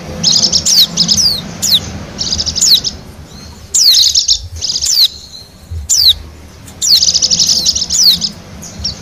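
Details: Wild Bali white-eye song, used to lure wild birds: lively high twitters and rapid trilled bursts broken by sharp downslurred whistles, with a short quieter gap in the middle and another long trill near the end.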